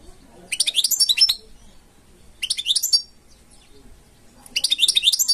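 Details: European goldfinch kept as a cage bird delivering three short bursts of fast, tinkling, chattering song, each roughly a second long with quiet gaps between them.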